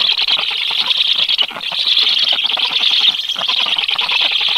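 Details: Black stork nestlings on 13 July begging after an unfamiliar adult appears by the nest; intense high twittering chorus, rapid and continuous, slightly louder midway.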